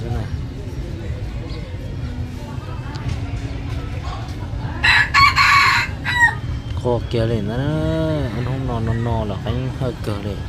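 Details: Young red junglefowl of an F2 line, recorded 23/12/2025: one loud, harsh, ringing crow lasting about a second, rising then falling, heard over steady male speech in a tonal language that continues before and after.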